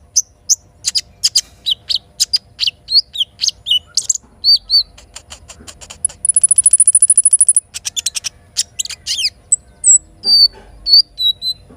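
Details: Little spiderhunter in the morning: rapid sharp chips and whistles, then a long, very high, fast trill lasting about a second and a half. After it come more chip bursts and sparse downslurred notes.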